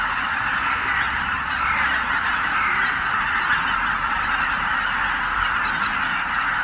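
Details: Greater white-fronted geese by the tens of thousands, over 83,000, leave their night roost at Miyajima-numa at dawn on 23 April 2017 under poor skies: a ceaseless, surging clamour of overlapping honks.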